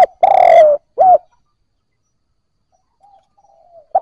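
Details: Spotted dove cooing, played to stimulate newly caught birds to coo, giving a low hollow drawn-out note followed by a shorter clipped one, then near silence with faint distant coos.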